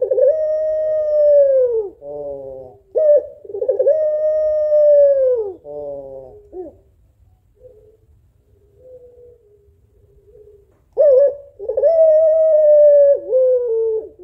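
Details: Female puter pelung African collared dove calling the male. A series of long, smooth coos alternates with harsh, buzzing notes, followed by a stretch of faint soft murmurs before loud drawn-out cooing resumes.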